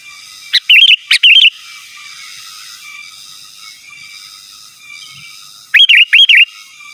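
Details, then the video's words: Sooty-headed bulbul singing to summon rivals, two clusters of sharp notes and bubbling whistled warbles, separated by about four seconds of quiet hiss. "Suara Burung KUTILANG GACOR Asli Tanpa ISIAN Ampun Untuk Suara Panggilan dan Masteran"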